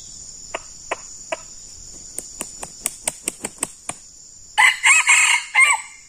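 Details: Red junglefowl, a decoy bird meeting a very aggressive wild male: a run of sharp, evenly spaced clucking clicks, then a harsh, harmonic crowing burst lasting just over a second, over a constant high-pitched insect drone.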